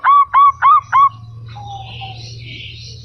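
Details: Local zebra dove answering: four loud hooked notes in quick succession, then a soft low trill over a faint hum.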